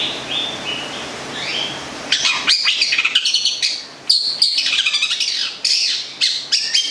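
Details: Local long-tailed shrike (cendet, also called plentet) from Gedong Songo, Central Java, a songbird kept in captivity; after two seconds of soft whistles, a loud, busy burst of sharp chirps and harsh, rapid varied notes, with a faint low hum beneath.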